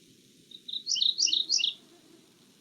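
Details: Male Mourning Warbler, which sings from inside vegetation, gives a brief, rich, burry phrase of about four quick paired notes that rise and fall, with a faint low hum underneath; a Newfoundland wetland species.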